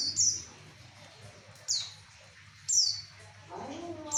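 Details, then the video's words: Javan white-eye song meant to attract males: loud, high chirps sliding downward, spaced about a second apart, with a low rumble and a brief mid-pitched sound near the end. "Pleci ampuh untuk memancing jantan cukup 5 menit pleci anda bunyi"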